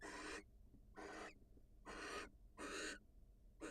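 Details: Barn owl female leaving the nest to greet her mate, wild birds: loud, breathy, gasping hisses, four long ones and the start of a fifth, about 0.6 seconds apart.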